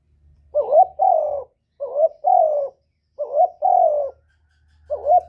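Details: Spotted dove lure cooing that prompts doves to answer. Three evenly spaced two-part phrases are heard, each a quick rough note leading into a longer falling coo, and a fourth phrase starts as it ends.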